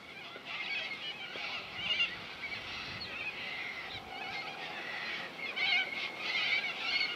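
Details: Corellas at Minkies Lagoon on Coopers Creek near Innamincka, South Australia: a distant flock gives a continuous wash of harsh, screechy calls with scattered louder squawks rising and falling throughout.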